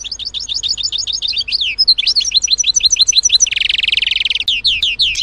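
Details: European goldfinch at garden feeders, a sociable finch: rapid tinkling twitter of repeated high chirps and downslurred notes, broken by a dense buzzy trill around three and a half seconds, then more liquid twittering.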